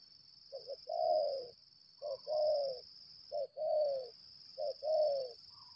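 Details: Decoy spotted dove of the lambung kuk type giving its fighting call. A brief note and a drawn-out, slightly falling coo are repeated four times at an even pace, with a constant shrill whine behind.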